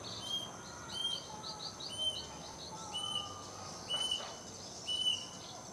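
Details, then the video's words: A plaintive cuckoo in a mango tree near a house in East Java, Indonesia, in the afternoon gives clear, high whistled notes about once a second in a steady series, over soft chatter of other small birds. "Dengar Suara Burung ini?!! inilah si Burung Kedasih"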